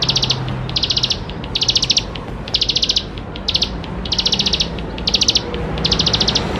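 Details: Energetic bar-winged prinia song, rich in fill-in notes, played to stimulate young birds to sing; eight short bursts of fast, high pulsed notes at a steady pace with low background rumble.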